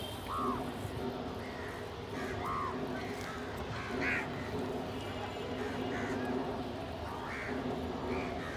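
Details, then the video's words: Several crows gathered to feed together with pigeons, competing for food; scattered harsh, nasal caws come every couple of seconds, some strained and rising, against a constant low mechanical drone. "Crow ki awaz naturally"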